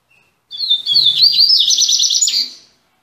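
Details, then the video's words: A caged double-collared seedeater (coleiro), singing again after three months, delivers a loud phrase of slurred whistles that breaks into a fast, buzzy repeated trill; faint low rumbling sounds underneath. "COLEIRO MEQUETRÉFE VOLTANDO APÓS 3 MESES"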